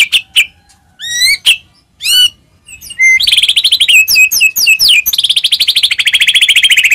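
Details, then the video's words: White-rumped shama song to trigger other shamas: scattered upslurred whistles and sharp notes, then a dense buzzy run of very fast repeated notes slowly descending. "murai batu gacor, AMPUH buat pancingan murai batu agar bunyi‼️"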